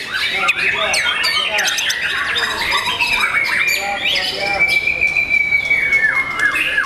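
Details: Young white-rumped shama singing busy chattering phrases and quick down-slurred whistles, ending in a long, level, thin whistle held for several seconds.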